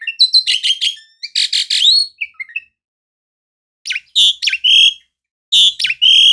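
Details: Jalak suren, or Asian pied starling, giving a dense burst of harsh chattering notes and a short slurred whistle. After a pause come loud squeaky, rising and falling whistles.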